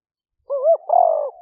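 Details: Spotted dove lure call in liu fueang style, taped live on a smartphone in a rainy-season rice paddy in Roi Et province, Thailand, 2021: a wavering two-part coo followed by a sustained rough, slightly falling coo.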